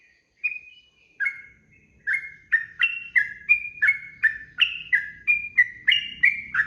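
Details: Sooty-headed bulbul song for cage-bird training, 'ropel' style: a few spaced whistles open into a quick, rhythmic run of slurred notes swinging between two pitch levels, with a faint low hum beneath.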